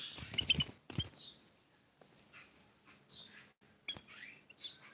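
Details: A tame sooty-headed bulbul gives short, bright chirping notes in scattered bursts, opening with loud thumps and rustling close by.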